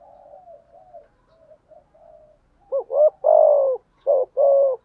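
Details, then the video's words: Spotted dove kept as a lure, cooing to incite wild doves; quiet soft coos first, then four loud, full, throaty coo notes close together, in a silent background. "chim cu mồi thúc đấu và gáy gọi kích bổi rất xiêng gáy"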